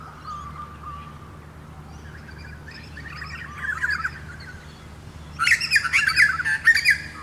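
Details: A butcherbird on a suburban street in Moorooka, Australia, gives a soft, clear held whistle, then quiet warbled phrases, ending in loud, harsh chattering bursts over the last two seconds.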